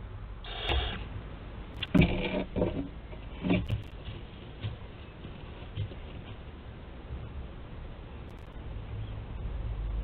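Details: Barn owls at a nest webcam in Théding, France, on 4 July 2022: several short, harsh, broadband hissing bursts around the second and third seconds, then quieter rasps over a steady low background rumble.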